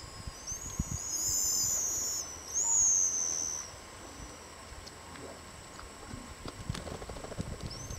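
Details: Several pigeon guillemots whistle together in high, shrill, drawn-out notes for about three seconds, then fall quiet apart from one short upslurred whistle at the end; faint low background noise of seals and sea lions.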